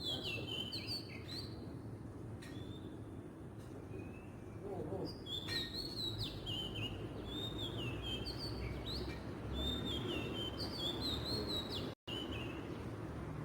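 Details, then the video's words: Kacer, the Oriental magpie-robin, in the wild: repeated whistled phrases of sweet sliding notes and short trills, one phrase every second or two, over steady low background noise with a brief dropout near the end. "kicauan burung kacer di alam liar"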